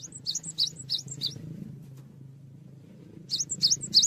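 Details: Cinereous tit singing briskly for songbird training: a run of four high, sharp two-note phrases about three per second, a pause with low background rumble, then the phrases resume.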